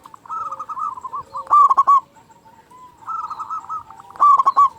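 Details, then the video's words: Local Zebra dove with a big voice, played to stir silent caged doves into calling: a quick rolling series of mid-pitched notes ending in a loud, rich, rasping coo, heard twice. "Perkutut Lokal Gacor Suara Besar Pancingan Burung Perkutut Agar Cepat Bunyi"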